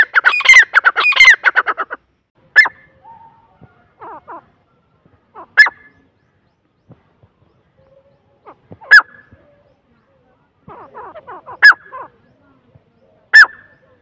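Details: A grey francolin (teetar) opens with a brief burst of rapid, harsh notes, then repeats sharp, loud single calls every few seconds, with faint low clucks and a short soft chatter between them.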